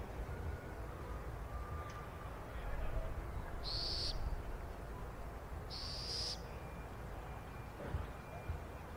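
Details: Brazilian burrowing owl chick giving two drawn-out, hissing rasps about two seconds apart, each roughly half a second long, over constant low wind rumble.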